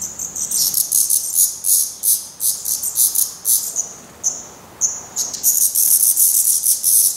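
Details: Fledgling black redstarts, fed by parents at a Portuguese nest after their first flights, give irregular high squeaky and hissy notes, several drawn out, building into a continuous run at the end.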